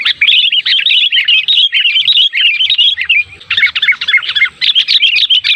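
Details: Sooty-headed bulbul lure calls used to draw bulbuls to answer: a dense, continuous stream of bubbly, chattering notes, briefly pausing midway before resuming just as busily.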